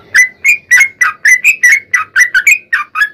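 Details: Yellow-vented bulbul (trucukan) singing its long rapid 'ropel panjang' song, played as a lure to get other bulbuls singing: a brisk, unbroken string of bubbly whistled notes, about four per second, rising and falling slightly.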